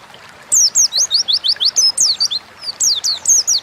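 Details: Oriental white-eye singing vigorously in ngalas style as a lure recording: after half a second of quiet, sweet high slurred notes tumble rapidly one after another, pausing briefly near the middle before resuming.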